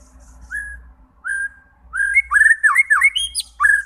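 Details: Shama song meant to stir fighting birds into singing: two drawn-out whistles, then a lively run of looping warbles and sharp high notes, over a faint low hum.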